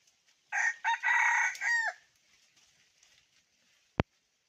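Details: Decoy red junglefowl rooster, 2021, calling wild fowl: a loud multi-part crow rising, holding and dropping off at its end, followed by faint background hiss and one sharp click.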